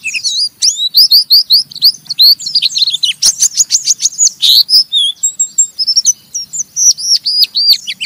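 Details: Oriental white-eye, a caged bird, giving a rough chattering ngeriwik song that stimulates other white-eyes to sing: dense high twittering notes with rapid sweeping whistles and buzzy bursts, a steady stream of sharp chirps.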